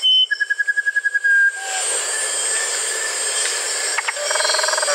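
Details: Musician wren singing: a clear whistled tone, then a fast string of short even notes, a quieter stretch of steady hiss, and a closing burst of buzzy chatter.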